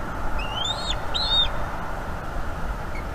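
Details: Bald eagle eaglet begging as its mother feeds it at a North East Florida nest camera, evening of 5 May 2021, after an owl attack; two thin rising-then-falling whistled squeals, with a steady low hum behind.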